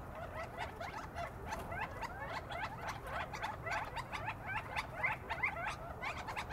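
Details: Flock of more than fifty quail in Joshua Tree, California, settling into a large palm tree for the night just after sunset: many short, overlapping chips and rising notes in a dense chatter, with rustling and scratchy clicks throughout.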